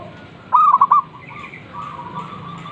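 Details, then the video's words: A single brief rolling phrase of four or five coos from a zebra dove calling in the morning, followed by faint distant notes against steady background noise. "Pancingan suara burung perkutut gacor | zebra dove still calling every morning"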